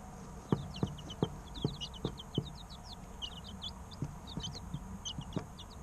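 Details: Baby chicken chicks, three weeks old, chirping continuously: dense, high, downward-slurred peeps from several birds, punctuated by regular soft clicks or taps about every half second.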